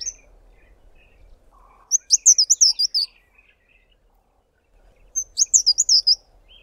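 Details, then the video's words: A Fairy Flycatcher at Tankwa Karoo National Park sings its high-pitched, thin, wispy song: two very high twittering phrases, each about a second long, separated by a few seconds of quiet. "FAIRY FLYCATCHER singing its thin wispy high-pitched song"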